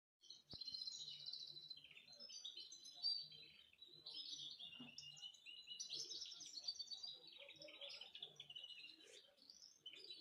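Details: A Belgian canary (Serinus canaria domestica) sings a long, continuous run of bright rolling trills and chirps.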